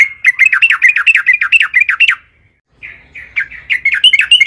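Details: Yellow-vented bulbul in full, vigorous song, played as a lure for other bulbuls: quick, rolling, slurred phrases repeated about four per second, a brief pause, then the rapid chatter resumes.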